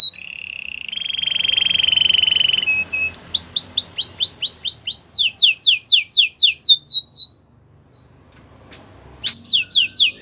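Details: Singing white canary: a rolling trill that drops slightly in pitch, then rapid series of downward-sweeping whistled notes, a short pause, and more sweeping notes; faint low background hum.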